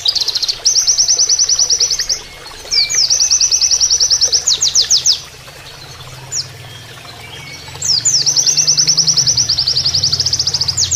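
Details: Oriental white-eye, a training master song in the canary-like shooting style, played with flowing water for calming the birds. Rapid, high, buzzy trills come in long bursts of about one to two seconds, separated by short pauses and scattered chirps, over a steady low water rush.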